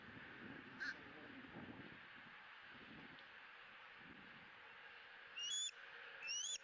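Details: A young bald eagle, E9, at a Southwest Florida nest camera on 20 April 2017, squeals joyfully while being fed its second fish of the day. A faint short chirp comes first, then two shrill rising squeals near the end, over constant hiss.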